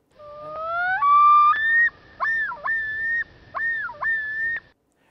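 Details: A male Common Loon at Seney National Wildlife Refuge, 1998, gives its territorial yodel: long rising wails build into three or four swooping, repeated two-part phrases, each under a second; this male later changed territories and yodel.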